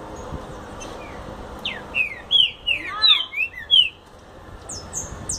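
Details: Rapid explosão song of a green-winged saltator, a future champion: a dense cluster of loud downward-slurred whistles for about two seconds, then a few high thin notes at the end.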